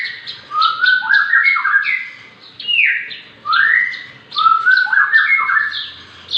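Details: Six-month-old Javan bush lark in full, varied song: slurred rising and falling whistles, clear mid-pitched swoops and high chips, delivered in phrases of a second or two with short gaps.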